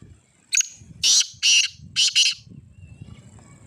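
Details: Kala teetar, the black francolin, calling loudly: a short sharp opening note, then three rasping, broad, buzzy notes in a rhythmic phrase lasting about two seconds, against quiet low rumble.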